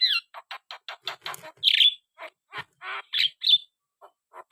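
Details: Energetic Black-winged starling song: fast ticking harsh notes, a loud buzzy squawk, then scattered rasps and short whistled bursts.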